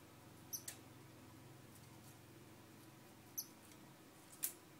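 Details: Two brief piercing high-pitched chirps from a star finch, roughly three seconds apart, each followed by a sharp broadband click or tap, against quiet room hum.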